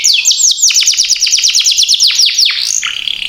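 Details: Canary in full long song, used as a lure to stimulate other canaries: a rapid run of about three high downward-sweeping chirps per second, shifting near the end into a fast buzzy trill.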